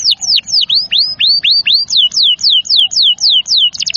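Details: Canary song used as tutoring therapy to get young, stalled or lazy canaries singing: loud whistled notes sweeping down, then a run of repeated downslurred tours, closing with a rapid clipped trill.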